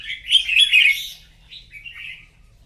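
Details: Singing contest in the morning: a red-whiskered bulbul gives a loud, fast, bubbling warble that fades into softer slurred whistles.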